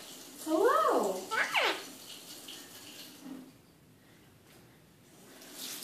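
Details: An Eclectus parrot gives evening talk: a short burst of warbling, speech-like syllables with swooping pitch. A soft gurgling, water-like noise follows in a small indoor room.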